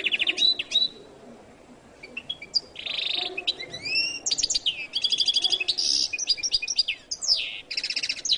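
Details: Goldfinch (jilguero latino) singing a long, varied song of rapid trills, buzzy rattles and high whistled slurs in quick bursts, broken by a brief pause near the start, with a faint low background murmur.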